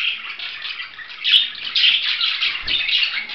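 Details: Budgerigar chirping and warbling in uneven bursts, with a couple of louder squeaky notes and a soft splash-like thud late on.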